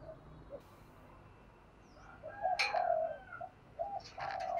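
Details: Spotted dove cooing in the 'giọng thổ' voice style, played to stimulate other doves to coo: a few soft, low hollow coo notes, faint against a hiss, with a brief chirp from another bird.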